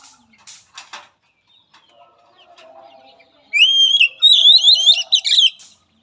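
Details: Oriental magpie-robin singing as training for a nervous bird: scattered clicks and faint chatter first, then a loud zigzagging series of whistled notes climbing and falling, repeated quickly.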